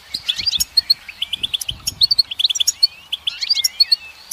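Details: Goldfinch song: a fast, steady run of bright twittering notes and short upward-sweeping whistles, with a few buzzy trills woven in, all high-pitched and closely spaced for the whole stretch.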